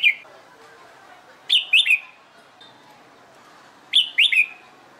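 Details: Caged-style competition training of a red-whiskered bulbul: loud clear whistled phrases of two or three slurred notes, separated by quiet gaps of two seconds, with faint background chirps.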